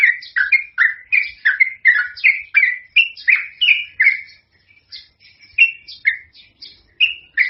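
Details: Lure song of a sooty-headed bulbul: energetic chirping notes that rise and fall, fast at first, then a brief quieter gap before the phrases resume.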